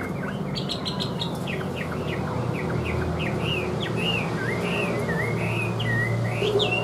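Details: Chinese hwamei kept caged sings a lively chain of short, bouncing whistled notes, about three each second, rising into longer wavering phrases toward the end, over a low steady hum.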